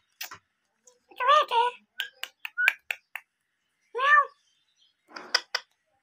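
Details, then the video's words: Tame green ring-necked parakeet chattering indoors, mixing word-like harmonic syllables with sharp clicks and short squeaks, spaced irregularly over several seconds. "intelligent talking green ring neck"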